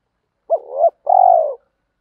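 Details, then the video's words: Spotted dove (cu gáy), male and female, cooing for training: a short hooked note sliding into a soft murmur, then one longer, trembling coo that gently falls. "tiếng chim cu gáy luyện bổi và mồi gáy theo hiệu quả ra đủ bài"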